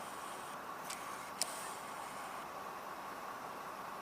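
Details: Steady hiss of traffic-like noise with a couple of faint clicks and one sharp tick, and no animal voice anywhere.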